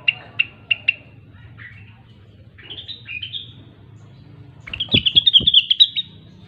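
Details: Grey-cheeked bulbul, known locally as rengganis or cucak wilis, singing in lively gacor style: three short sharp chirps, then warbled phrases rising and falling, ending in a fast bright twittering run; faint low hum underneath.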